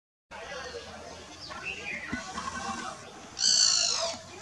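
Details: Great barbet, one of a foraging breeding-season pair, gives a different locating contact call: a brief, harsh, harmonic-rich note after softer curving notes, amid other birds; Dwarahat, Uttarakhand, India, 5000 ft, middle Himalayas, 10 April 2023, 6:19 pm.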